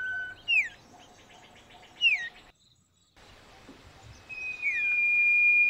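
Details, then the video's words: Common iora song in a garden: two sharp descending whistles with a fast buzzy trill between them, a brief gap of silence, then a long level whistled note to the end. "cipoh kacat, burung kebun bersuara merdu dengan gaya kicau yang indah"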